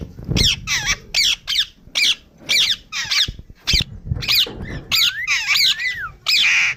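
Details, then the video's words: Pet Indian ringneck parrot giving loud, harsh squawks in rapid, uneven bursts, roughly two per second, with some shrill screeches and a few bent whistled notes near the end. "Nachral saound indian Ring neck parrot"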